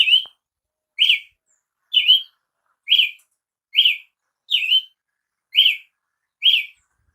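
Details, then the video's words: Brazilian tanager song: eight evenly spaced, sharp chirped notes with a quick downward-then-upward slur, delivered roughly every second against a silent background. "canto de Tiê sangue"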